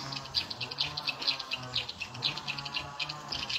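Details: Lure playback for edible-nest swiftlets, volume at nine o'clock, with birds becoming busy. Quick, uneven bursts of high chirps, about two per second, over a soft low hum.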